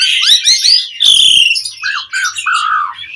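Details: Asian pied starling song as a lure recording for prompting other birds: opening harsh chattering bursts, a grating rattle, then lower whistled slurs that fall and flatten toward the end.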